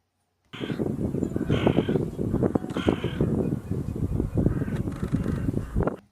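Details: Hooded crow, described as a large black-grey bird that winters nearby and circles in the sky, gives a run of harsh, rasping "kar" caws, about one a second, over a low background rumble.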